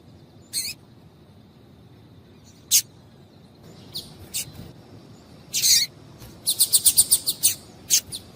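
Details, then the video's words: Calls of a female double-collared seedeater, meant to excite males into song: scattered sharp high chirps, then a quick rattling run of bright notes followed by a few more isolated chirps. "Piado de Fêmea de Coleiro para Esquentar Coleiro"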